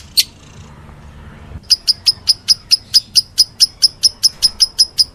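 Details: Lovebird, meloloh style: one sharp chirp, a pause of over a second, then a steady string of shrill, evenly timed notes.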